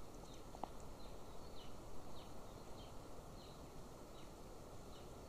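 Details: Golden eagle at a nest camera in Estonia near a military training ground, 13 May 2024: a faint series of thin, high downslurred notes repeated about every half second over a strong low rumble of background noise.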